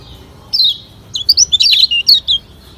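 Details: Lombok yellow white-eye, called kecial kuning, singing as a lure: one long downslurred whistle followed by a rapid chattering sequence of bright, high twittering notes.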